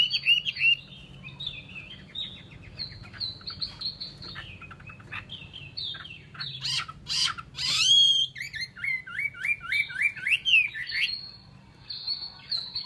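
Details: Chinese hwamei song: long varied sequence of whistled slurs, trills and harsh chattering bursts, with a series of rapid repeated rising notes in the latter part.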